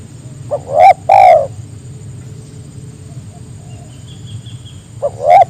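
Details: Spotted dove calls to draw others into calling, one full phrase of short note, arched coo and long falling coo, then a faint distant chirp and the next phrase beginning near the end.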